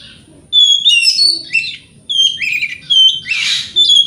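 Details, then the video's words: Kacer, the oriental magpie-robin, singing a provoking song meant to rile other magpie-robins: clear piercing whistles mixed with rapid twittering and one harsh rasping burst, in phrases about a second apart. "30 Menit Dengarkan Pancingan Kacer Ini - Kacer Jenis Apapun Gak Kuat Nahan Emosinya"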